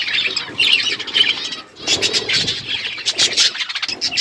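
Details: Budgies eating food, giving dense overlapping chirps and warbling chatter, mostly high and scratchy, in busy bursts with a short quiet gap near the middle, plus faint rustling.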